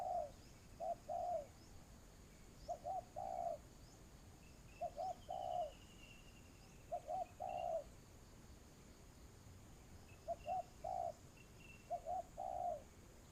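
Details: Spotted dove kept as a ground decoy to lure doves into a trap, repeating a three-part coo, two short hoots and a longer falling one, roughly every two to three seconds, with faint distant whistles from other birds.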